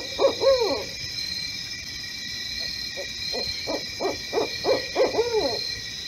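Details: A neighbourhood Barred Owl in Poughkeepsie, New York, recorded in the middle of the night in autumn 2018, gives deep, arching hoots, then a quickening run of short hoots ending in a drawn-out, slurred note, over a steady hum of night insects.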